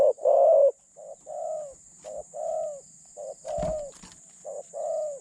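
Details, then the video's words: Spotted dove serving as a decoy for trapping other doves, with a medium-pitched voice and light cooing style; a loud opening coo, then softer short-long coo pairs repeated steadily, broken by a brief knock. "จัดเชลยเสียงกลาง คารมบางๆ"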